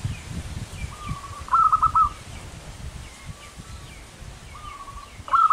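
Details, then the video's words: Local-type zebra dove singing manggung: a soft sustained lead coo flows into a run of crisp, rippling notes, with a second lead-in and the start of another phrase at the end, over steady low rumble. "suara burung perkutut lokal manggung gacor"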